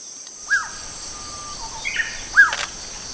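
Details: Banded pitta giving two loud, short, downslurred whistled calls about two seconds apart, with a faint high insect drone and scattered distant bird notes behind.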